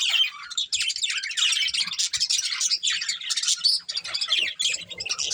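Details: Steady, busy chattering from a breeding pair of budgerigars, a rapid stream of high scratchy chirps and short whistled notes running throughout.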